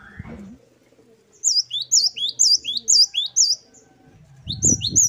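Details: A brief noise burst opens the clip, then the great tit's wucit-wucit song follows with about eight rapid, high, repeated phrases. A low rumbling clatter comes at the end.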